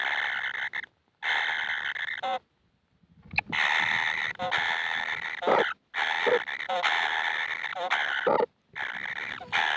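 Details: Nestling kingfishers that never seem full of food beg with harsh, scratchy buzzing calls, each lasting one to two seconds, separated by short silences.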